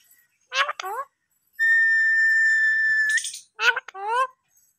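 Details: Talking parrot: two short bursts of speech-like syllables, then a long, steady, high whistle of about one and a half seconds ending in a rising squeak, followed by two more word-like bursts.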